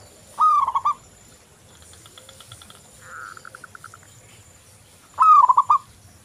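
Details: Perkutut lokal, the zebra dove, singing for a lure recording: two loud rolling coo phrases about five seconds apart, separated by faint, quick strings of soft coos from farther birds.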